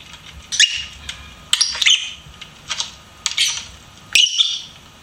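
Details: Pet lovebird chirping indoors: harsh, high squeaky chirps and squawks in short bursts about every second, with quiet gaps between.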